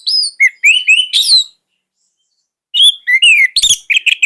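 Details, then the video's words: Orange-headed thrush in energetic song, used to train young birds. Clear whistled slurs rise and fall, with a burst of scratchy high notes. After a pause it resumes with descending whistles and harsh, rapid chips. "KICAUAN SANGAR ANIS MERAH"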